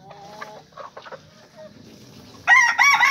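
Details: Rooster sounds: low clucks and short murmurs at first, then a loud, harsh, rasping crow bursts in for the final seconds.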